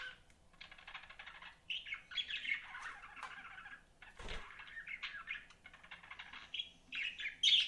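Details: Several pet budgies twitter and warble continuously with scratchy chirps and buzzy notes, a brief knock midway, and a sharp high squeak at the end.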